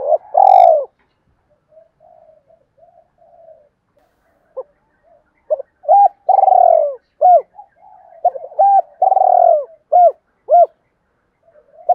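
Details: Spotted dove cooing, a recording played daily to stir wild doves into calling: one loud low coo, a quiet pause with soft murmurs, then a run of short arched coo notes and drawn-out coos, clean and close.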